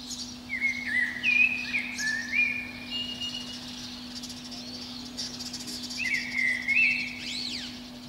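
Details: From the crown of a pine below a window, a protected Eurasian blackbird sings at dawn in spring. A long, varied, fluty phrase is followed after a pause by a shorter warble, with a faint hum beneath.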